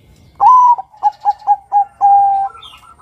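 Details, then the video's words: Bangkok-type male zebra dove cooing to draw other males: one long slightly rising coo, then four short evenly spaced coos and a longer level coo, all in a soft low pitch. "PANGGILAN SUARA Perkutut BANGKOK Gacor Kutut Bangkok NEGEL MEMIKAT Suara PERKUTUT JANTAN agar BUNYI"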